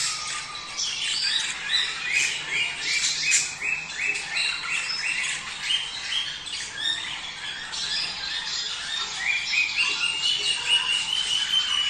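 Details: Several budgerigars in a breeding-stimulation mating call: quick, rhythmic twittering with many short upslurred chirps and squeaks, steady and busy throughout, ending with a longer rising whistle.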